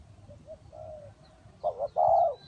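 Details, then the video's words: Faint, soft coos open the recording, then a close spotted dove decoy at a trap bursts in with a wavering two-part coo followed by a long, full, resonant coo. Light twittering is heard overhead. "นกเขาใหญ่สายต่อดิน,BirdTrap,The Sound Of the dove"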